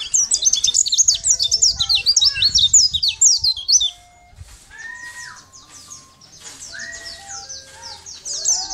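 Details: Sunda white-eye singing as a tutor recording for training other birds: about four seconds of rapid, high, twittering chirps, then softer scattered notes alongside steady pure whistled tones at lower pitches.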